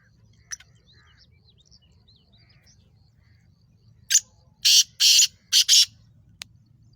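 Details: Sindhi black francolin (kala tetar) calling: after faint scattered chirps from other birds, a loud burst of five harsh, grating, rasping notes, one short then two long then two long, over a quiet low rumble.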